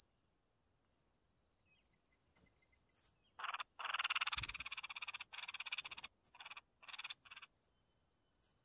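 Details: Red-whiskered bulbul chicks being fed by their mother: harsh, raspy pulsed begging bursts, one long rattling run in the middle, mixed with short high thin chirps repeated throughout.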